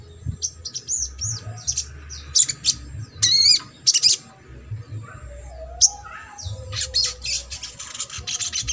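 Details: Trotol-style sogok ontong song meant to provoke reluctant birds to sing: scattered high thin chirps, loud buzzy bursts near the middle, then a fast run of rapid sharp ticking notes.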